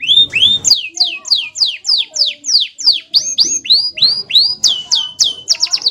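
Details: Canary giving a rolling song (ngerol): a fast, loud run of bright, high whistled notes that sweep downward, roughly three each second, turning into quicker, sharper notes at the end, with a faint low rumble at the start.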